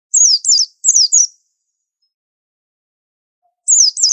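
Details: White-eye, billed as an unusual tutor songster, giving high, thin, sharply descending whistled notes in quick pairs, two pairs early, then silence, then another pair near the end.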